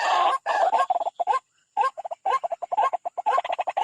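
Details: White-breasted waterhen going for a rival at a bird trap: loud croaking notes, some in quick stuttering runs, broken by one short silence, then resuming in rapid repeated kwak-like bursts.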